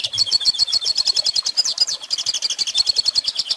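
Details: Rapid, high-pitched warbling and chirping from a hooded siskin, with twittering phrases that run together seamlessly. The song is meant for young birds to learn.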